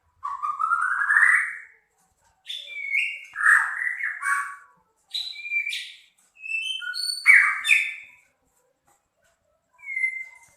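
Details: Rough, harsh song bursts from a Medan-type white-rumped shama, used for training other birds: a rising slurred whistle, then short clusters of varied chirps and whistles separated by brief pauses, ending on a single whistle.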